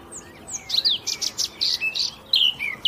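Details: Eurasian blackcap (Sylvia atricapilla) song: a few thin descending whistles, then a run of loud, even, clipped notes about five per second, ending in a clear slurred whistle.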